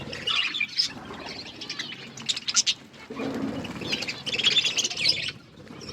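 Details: Budgerigars chirping: busy, high twittering chatter in bursts, with louder clusters near the start and again toward the end, plus a few soft lower notes.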